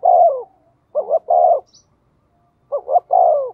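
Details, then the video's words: Caged spotted dove used as a decoy calls quickly to provoke rivals, giving a long falling coo, then a stuttered double note with another long coo, and after a pause a third phrase. "Chim Cu Mồi/ cu gay kich boi nhanh noi"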